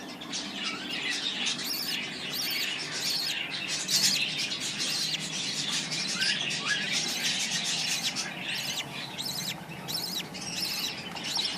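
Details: Newborn budgerigar chicks in a breeding setup: rapid harsh raspy buzzes and squeaky chirps repeat unevenly, roughly 80 bursts a minute, with several callers overlapping.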